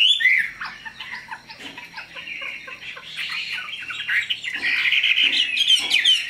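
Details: Captive Chinese hwamei, a big purebred bird, gives a jumbled run of short chirps and whistles that is quieter in the middle and then swells into a louder, denser warble near the end.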